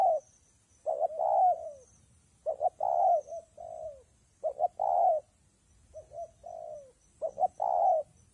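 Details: Spotted dove cooing all day amid rain and wind, repeated soft phrases of quick clipped notes and a longer resonant coo, some quieter phrases between.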